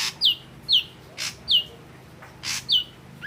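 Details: Ashy drongo, red-eyed grey form, giving a rhythmic series of clear downslurred whistles roughly twice a second, interleaved with rasping hissy notes, against steady low background noise.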